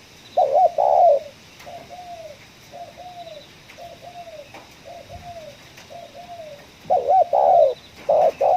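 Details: Spotted dove at a coffee plantation, 'ngeruk' calling: a strong rough coo, six quiet arched notes evenly spaced, then louder burry coos returning at the end.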